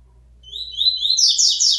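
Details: A locally born double-collared seedeater, coming out of moult and returning to song, gives a brief, high, fast twittering phrase that climbs in pitch toward the end; a faint low hum sits underneath.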